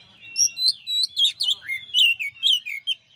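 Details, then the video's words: Champion Oriental magpie-robin (kacer) on a master song recording: an unbroken run of rapid, varied whistled notes and short slurred trills, about a dozen loud bursts in quick succession, some rising, others dropping. "masteran suara kacer juara"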